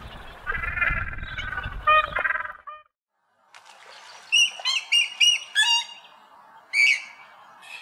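A moorhen gives harsh, nasal calls, then a burst of sharp, ringing notes in quick irregular succession, with a low background rumble at the start.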